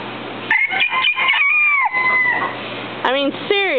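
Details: Domestic rooster giving an unusual, comical crow: a strained onset, then a long drawn-out tone for about two seconds that sags at the end, followed by two short falling voiced sounds.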